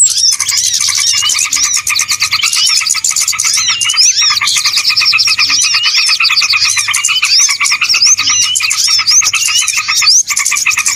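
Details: Trapping lure of small birds calling together: a constant, loud wall of overlapping high twitters, rising whistled notes and rapid chips from many birds, with a faint low hum underneath.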